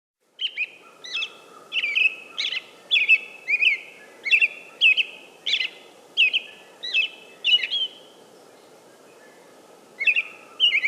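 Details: American robin singing a steady series of short phrases, each a sharp falling note with a drawn-out whistled tail, about one phrase every half second with a pause near the end, over a constant low rushing background hiss.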